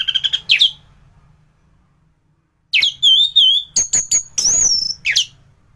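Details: Anis thrush in peak singing form, kept as a tutor recording for training other thrushes: rapid high chips, a pause of near silence, then warbled whistles and a run of sharp buzzy notes.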